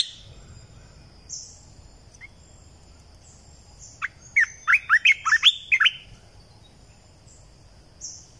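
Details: Red-eyed bulbul lure song from 2020, meant to draw birds in: after scattered faint high notes, a rapid string of about eight bright, warbled chirps in quick succession, with a low steady hum beneath.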